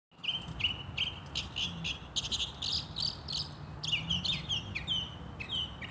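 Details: Northern mockingbird singing in spring from a holly tree in New Jersey: a rapid run of varied chirpy, slurred phrases, each repeated several times in quick series, over a low, steady background hum.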